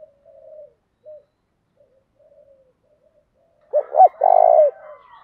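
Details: Spotted dove's urging coo, meant to set wild doves cooing: quiet scattered coos, then two short notes and a long vibrating coo with a faint echo.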